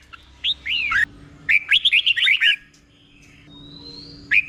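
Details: A caged red-whiskered bulbul in Thailand gives the doubled song style, slow and distinct, for learners to copy: a short whistled phrase, then a quick run of bubbling notes, followed by a thin, rising whistle and a final chirp.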